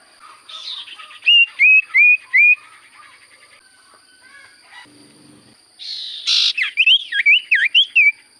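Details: Common Iora singing constantly: a buzzy note, then three loud repeated whistled notes, a pause, and a harsh burst leading into a fast warbling string of wavering whistles; steady electrical whine in the background.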